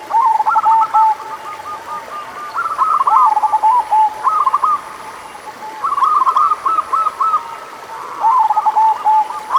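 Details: Local zebra doves singing, a lure recording for lazy singers: bursts of quick, bubbling coo notes in repeated phrases roughly every two seconds, several birds overlapping, with a thin high electronic whine and steady hiss behind.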